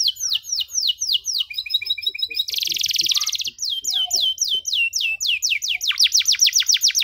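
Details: Canary song for young canaries learning to sing, with long trills and ornate phrases: rapid falling whistled notes, a bright dense buzzy trill in the middle, then fast descending sweeps repeating several times a second.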